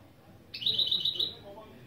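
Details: Goldfinch-canary mule giving a single brief rapid rattling trill of about a second.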